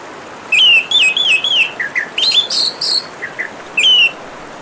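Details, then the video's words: Orange-headed thrush singing over running water: a run of loud, clear whistled phrases, some sliding and warbling, others short and dropping, with brief pauses between them. A steady babbling water hiss continues throughout. "Terapi Kicauan Burung Anis Merah dan suara Gemericik Air"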